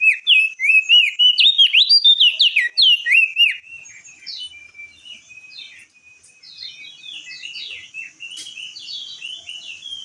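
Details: Crested jay shrike, a lure recording to provoke other birds: loud whistled phrases of rapid rising and falling notes, repeated about three times a second, then softer overlapping twittering.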